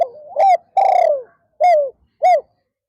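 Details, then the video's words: Spotted dove used as a decoy to lure wild doves, afternoon perch session, song style called 'pa roi': a gliding low coo, then a pulsed, rolling note and a long descending coo, followed by two short clear coos. "เสียงนกเขา /นกเขาใหญ่ป่าร้อย"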